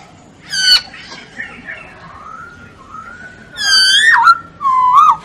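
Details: Masked laughingthrush (Poksay Hongkong) singing vigorously: harsh, buzzy squawks alternate with long, smooth whistled notes and a loud wavering whistle at the close.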